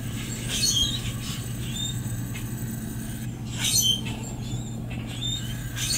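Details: Common grackles, mostly heard but not seen, gather in a front yard on 2 February 2018 and give scattered squeaky, creaking calls over a steady low hum.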